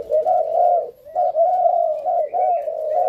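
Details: Captive breeding pair of spotted doves, a male matched with a cooing female. A steady, throaty cooing continues almost without a break, rolling in long, low, even phrases with a brief dip near the middle.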